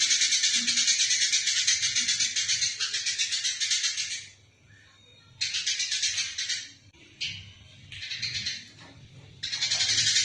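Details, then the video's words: Fighting Eurasian tree sparrow, a recording used to tutor other songbirds: long stretches of loud, rapid, harsh chattering broken by brief pauses, then renewed bursts of scratchy twittering. "Masteran burung gereja tarung istimewah"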